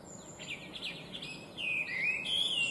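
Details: Chinese hwamei, an invasive alien species, singing brightly and intricately: a quick run of short repeated notes, then louder slurred whistles rising and falling, with faint background hiss.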